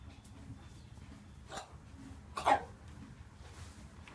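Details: Buff Brahma hen of three years, part of a mixed free-range flock, gives a softer raspy cough followed a second later by a louder croupy bark; low rustling background.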